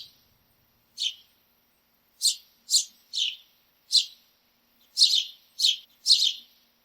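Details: House sparrows in a backyard: eight or nine loud chirps, some in close pairs, spread unevenly across several seconds, each a short descending note.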